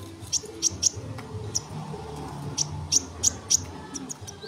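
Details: Tutor recording of a sunbird singing for songbird training: crisp, very high single chirps spaced irregularly about every half second, with steady low hum beneath.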